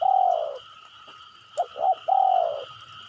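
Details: Spotted dove call played to coax other birds into calling: a long descending coo, a pause, then two short coos leading into another long falling coo, with faint electronic whine throughout.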